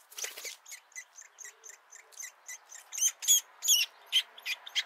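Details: Woodpecker nestlings being fed, poking their heads out of the nest for the first time; a burst of harsh, buzzy notes repeated about twice a second, growing louder toward the end.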